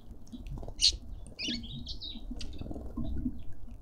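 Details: Cut-throat finches fighting over their share at a suburban garden feeder in Pretoria, South Africa, give a few sharp, high chirps and a short buzzy, wavering call over a low rustling and pattering background.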